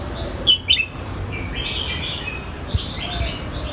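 A Red-whiskered bulbul gives two quick, bright liquid notes, then softer warbled phrases, over a steady background hiss.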